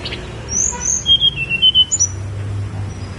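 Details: On Gunung Songgo Langit, a snowy-browed flycatcher gives high, thin whistled notes that step downward, followed by a short run of pulsed chips over a soft low rumble.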